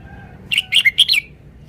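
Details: Red-whiskered bulbul singing a loud, bubbly phrase of five rapid whistled notes, bouncing up and down in pitch, clear against a quiet background.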